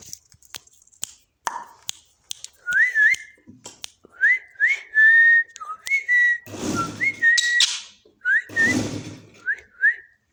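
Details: Parrot eating and talking: repeated short rising whistles with upward hooks, about every two seconds, mixed with scattered clicks and two loud rustling bursts.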